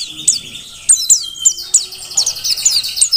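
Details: Mountain white-eye from Merapi, caught in the wild, giving spaced high, thin chirps that quicken into a denser twittering run toward the end.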